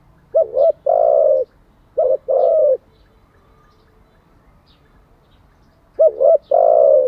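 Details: Spotted dove coo used to train decoy doves each day: three phrases, each a quick double warble then a long steady low hoot, repeated about every two to three seconds with a long gap before the last.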